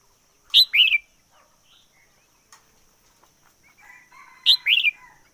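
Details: ['Singing decoy red-whiskered bulbul: two loud bursts of bright, chattering warbled notes about four seconds apart, each with a falling slurred ending, with soft scattered notes and a single click between.']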